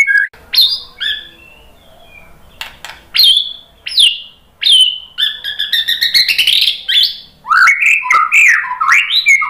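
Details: White-rumped shama song with separate clear whistled notes spaced a second or more apart, building into fast trilled and warbling runs and ending in loud descending slurred phrases.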